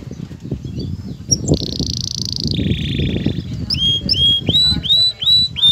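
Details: Excited male canary courting a female for mating: a buzzy high tour, a lower buzzy tour, then a row of clear whistled notes rising and levelling, over steady low background rumble.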